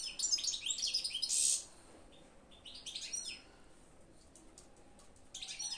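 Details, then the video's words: European goldfinch song: dense bursts of high, twittering, tinkling notes run for over a second, break into quieter gaps, then resume in short lively phrases near the middle and end. "تغريد الحسون"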